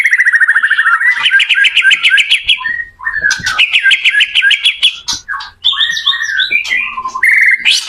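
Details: White-rumped shama song used to help teach other shamas: quick repeated trills, rising whistles and mixed chattering phrases in a rich, varied stream.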